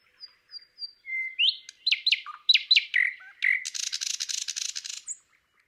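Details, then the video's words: Thrush nightingale in Palupõhja, Estonia, singing a phrase that opens with three thin piping notes, runs into loud, repeated liquid chooks, and ends in a dry, rapid rattle. "Thrush Nightingale"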